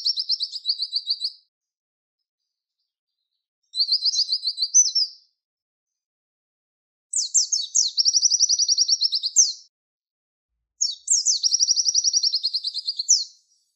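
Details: Four phrases of Javan white-eye tutor song in the "tembakan wit wit" style for training contest songbirds: two short warbled high trills, then two longer bursts of sharp downslurs running into rapid even trills, with pauses between.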